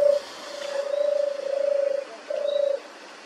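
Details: European turtle dove purring song: deep, rolling purrs in four drawn-out phrases, each lasting about half a second to a second, separated by brief pauses, over a quiet background.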